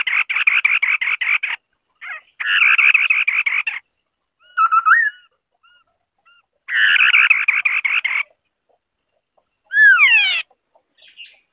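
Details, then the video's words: White-browed scimitar babbler song in bursts of fast, buzzy chatter separated by pauses. A short whistled rising note and a loud, looping slurred call are also heard in an otherwise quiet setting. "Tiếng chim Họa mi đất mày trắng ✅White-browed Scimitar-Babbler (Pomatorhinus schisticeps) singing.."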